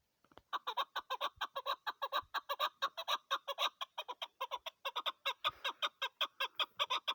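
A female chukar partridge gives a fast, steady run of harsh clucking notes, about seven a second, with no other sounds.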